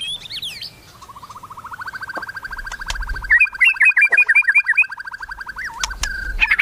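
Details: Melodious white-rumped shama song: a steady low whistled trill rising gently in loudness for several seconds, overlaid by a quick run of higher chirped notes, ending in sharp whistles.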